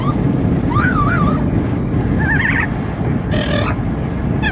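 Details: Amazon parrot in a car with wind noise: a wavering whistled call, a short trilled warble, then a brief harsh squawk, separated by pauses and partly drowned by deep rumbling road noise.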